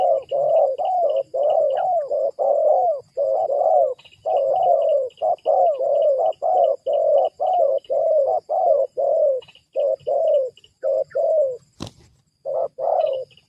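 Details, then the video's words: Spotted dove cooing, used as a lure to bring wild doves down; low, mellow coos in steady repeated phrases about once a second, with faint high chirps of another bird in the background. "cara pikat menurunkan tekukur huta"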